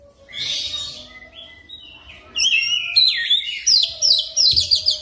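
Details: Oriental magpie-robin lure song for training a bird to sing fast and rolling. Soft scratchy notes and gentle whistles build into a loud run of sharp downslurred whistles and rapid trilled chatter repeated several times per second.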